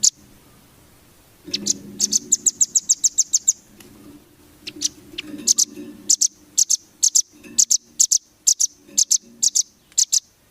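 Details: Velvet-fronted nuthatch training song for champion birds: bursts of rapid, shrill, high chips, first in a fast even run, then in short groups and pairs, with faint low background noise.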